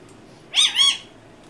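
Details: Pet Indian ringneck parakeet, a talking parrot, making one brief harsh two-part squawk in an otherwise quiet moment.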